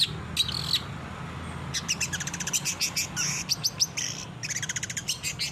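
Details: Captive-bird training song of a long-tailed shrike: short harsh notes followed by rapid stuttering rattles and sharp chips, all over a low droning hum.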